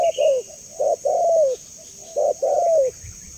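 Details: Spotted dove giving two clear cooing phrases. Each has a short, rounded note followed by a long coo that glides downward, separated by a brief pause. A faint high-pitched hiss continues steadily.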